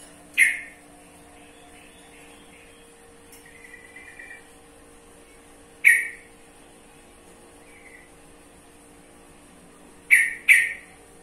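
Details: Sooty-headed bulbul (trucukan) calling sparsely: isolated sharp, clipped notes several seconds apart, ending with a quick pair, plus faint soft chatter and a steady background hum.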